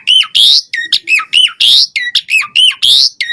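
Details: Caged Asian pied starling singing to prompt other birds: a repeating pattern of a hooked whistled note and a harsh buzzy squawk, alternating about every half second.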